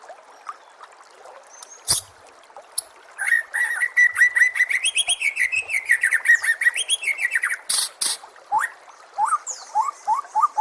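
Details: White-rumped shama, likely captive, delivering a long training song meant to make other shamas sing: after a few scattered notes, a dense rapid stream of buzzy and whistled notes runs several seconds, then rising slurred whistles repeat steadily.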